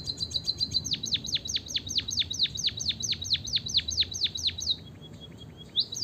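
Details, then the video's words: White-headed munia singing strongly as a lure for munias slow to sing: a long, steady series of high notes each sweeping sharply down, about two per second, fading into a soft low trill. "emprit kaji gacor - suara bunyi burung pipit untuk pancingan"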